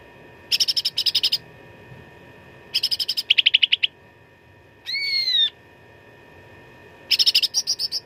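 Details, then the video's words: Contest-training fighting song of a grey-bellied bulbul (cucak ranting): clipped rattling bursts repeated in pairs, one clear, drawn-out whistle that falls at its end, then more chatter, all above a steady hum. "CUCAK RANTING GACOR TERBARU 2025 _ SUARA TARUNG FULL ISIAN !!!"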